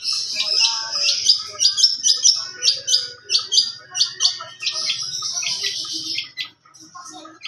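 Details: Young long-tailed shrike's richly varied song: a busy stream of high chips, rattles and squeaky notes, repeated in fast pulses, fading to quiet twitters at the close.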